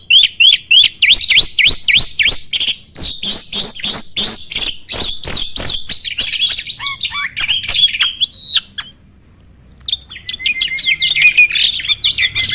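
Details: Starling singing, used as a master recording to provoke other birds to sing: dense bursts of sharp clicks and whistled notes at a fast pace, a tangle of warbles, a short pause, then renewed chattering song.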